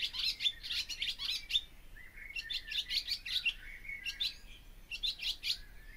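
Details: Barn swallow (Hirundo rustica), song.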